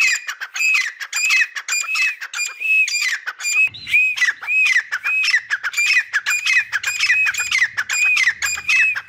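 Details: A caged grey francolin pair calls steadily: loud, harsh repeated notes with bright bending whistles, tumbling over one another with no real break.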